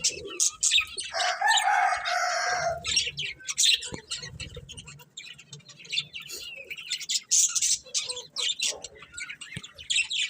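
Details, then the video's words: Chirping colourful budgies open with a harsh, buzzy warble, then settle into rapid, uneven high tweets, roughly three a second, continuing to the end. "Cute Colourful Budgies Chirping Sounds"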